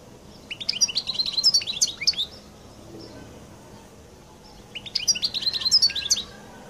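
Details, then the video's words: European goldfinch singing its distinctive song: two bursts of bright, high, rapid twittering with quick tinkling notes, separated by about two seconds of quiet, over a soft low background hum. "تغريد حسون القل المميز"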